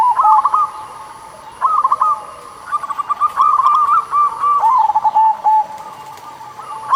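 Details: Local zebra dove (perkutut lokal) song played as a lure to stir doves that are slow to sing: rolling, quavering coos in quick bursts, overlapping phrases, with a faint steady high whine behind.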